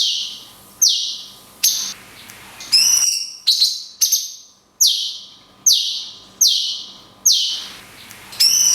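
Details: A tutor recording of cungkok song in the 'tembakan kunti panjang' style, with natural pauses: about ten piercing, high, falling whistled shots, each roughly a second apart and each fading off, with a short trilled flourish.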